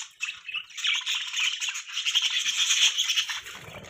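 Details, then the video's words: Budgie chirping as a continuous buzzy warble of fast rasping notes and scratchy squeaks, ending with a soft low rustle. "Beautiful Budgie Bird Chirping Sounds | Budgies Chirping Sound | Budgies Parrot Sound"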